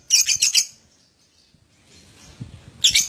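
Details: Lovebird lure recording meant to prompt other lovebirds to start ngekek singing quickly; a fast burst of high, harsh chattering notes, a quiet pause with faint low rumbling, then another short chattering burst.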